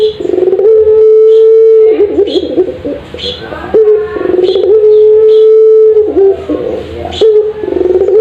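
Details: Ringneck dove of the puter pelung style, caged, heard in a master training recording. Long level coos alternate with tremulous warbled stretches in a repeating cycle, and faint high chirps sound above them.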